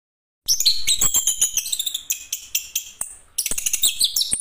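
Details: Chestnut-capped thrush, called anis kembang, a songbird of Southeast Asian forests, singing a dense run of high whistled and scratchy notes, with sharp clicking strokes throughout and a brief pause near the end.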